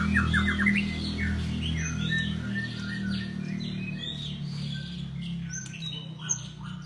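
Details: Golden-type white-rumped shama giving a run of short whistled and chirped phrases, loudest at the start and fading into scattered high notes, with a heavy low rumbling noise throughout.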